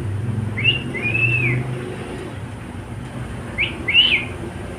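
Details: A male pet cockatiel gives a few drawn-out, arching whistles separated by a quiet gap, against a faint low hum.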